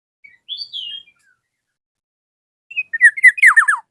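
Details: Black-naped oriole calling a rival with a faint high whistle, a silence of over a second, then a loud rapid series of rich notes that each slide down steeply.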